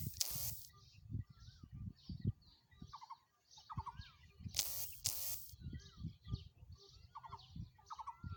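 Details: Black francolin in Sindh, Pakistan, giving two loud harsh grating bursts about four seconds apart, over low rumbling noise and soft repeated chirping of another small bird.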